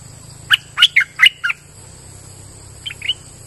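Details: Streak-eared bulbul taken out to the forest, singing a lively gacor lure song: a quick burst of five sharp, chirpy notes, then two softer notes after a pause. A steady high insect-like hum runs underneath.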